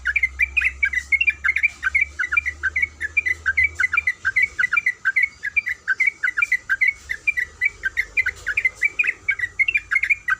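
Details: Female yellow-vented bulbul in breeding condition calling to a male: fast run of short sharp 'kuik' notes, each a quick up-and-down chirp, about seventy-five per minute, with a faint low hum underneath.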